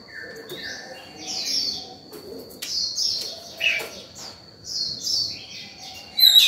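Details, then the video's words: White-rumped shama singing in the morning, calling to other birds and used to train young birds: varied whistled phrases and sweeping notes over a steady high tone, with other chirps in the background. "Chòe than vào lửa hót sổng buổi sáng, gọi bổi, tập chim non hay!"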